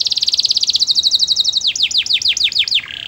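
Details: Canary song with a very fast high trill, then a series of sharply falling slurred notes about five per second, ending in a soft buzzy tone.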